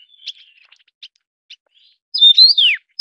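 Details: Taiwan yuhina (Yuhina brunneiceps), a Taiwan endemic, feeding chicks: a few faint, high chips spaced about half a second apart, then a loud burst of bright, buzzy notes ending in a sharply falling slur.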